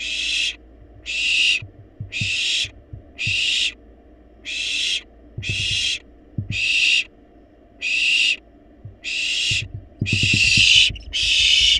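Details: Wild barn owl chicks in a monitored nest box demanding food despite being well fed: loud harsh hissing snores, each about half a second long, repeated roughly once a second, with faint low thumps and bumps beneath.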